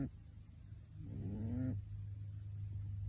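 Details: Sleeping pet pigeon in a bird suit gives a single drawn-out, rasping, rising snore lasting under a second, set against a steady low rumble.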